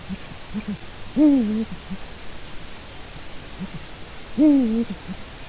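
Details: Eurasian eagle-owl recorded by a nest webcam in Latvia on 4 March 2018, late afternoon; two falling, slightly rasping hoots roughly three seconds apart over soft low background sounds.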